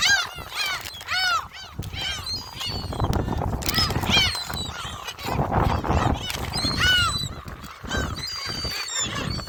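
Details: Gulls crowd around people feeding them shrimp crackers at Jebudo, calling constantly with loud, arched, nasal cries, several at once, against wind noise and human chatter.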